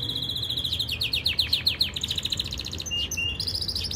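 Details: Yorkshire canary training song, a powerful run of rapid descending chirps in a rolling trill, followed by short whistles and another quick rattling phrase.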